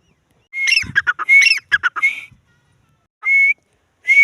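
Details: Grey francolin calling: a burst of harsh, clipped notes mixed with rising whistles, followed after a pause by two short, clear, upslurred whistles; human laughter is heard nearby.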